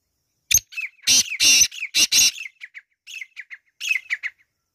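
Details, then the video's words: Black francolin (kala teetar) gives a loud, harsh, grating phrase of about five rasping notes, followed by softer scratchy chirps trailing off. "Kala teetar ki awaz"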